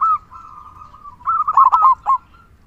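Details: Local zebra dove with a big 'kung' voice, singing as a lure; a short loud note opens a long soft level coo that builds into a rapid rolled phrase of clipped notes, ending with one final coo.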